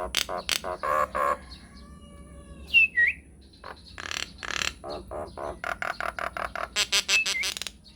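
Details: Nias hill myna in strong song, recorded to prompt responses: harsh broad bursts, a faint level note, a pair of slurred whistles, then quick uneven series of raspy chattered notes.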